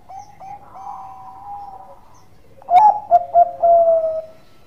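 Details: A Bangkok-type zebra dove singing actively, in a relaxed, melodious style. A soft sustained hum is followed by a quick series of staccato coos that run into a drawn-out falling coo.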